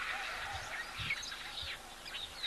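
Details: At a waterhole near Hoedspruit, 6 March 2024, a busy chorus of starlings gives chattering, squeaky calls with a few thin high whistles, while a man talks over them.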